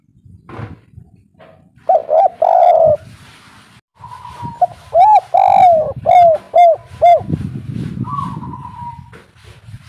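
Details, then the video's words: Local spotted dove singing 'kuk 3' style, meant as a lure to make birds respond: one cooing phrase ending in a long note, then a run of five or six rounded coos, with a faint thin whistle nearby. "derkuku kuk3 lokal gacor suara empuk untuk pancingan langsung nyaut"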